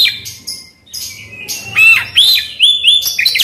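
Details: Oriental magpie-robin singing a varied, rich song used to coax a quiet bird into song: rapid chattering bursts followed by a string of bright whistled slurs, each rising then dropping, delivered quickly.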